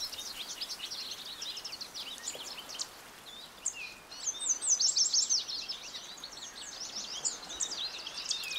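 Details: An American goldfinch delivers a long, variable run of high, fast twitters and slurs, pausing briefly near the middle before a louder, denser passage of chattering notes; light background hiss throughout.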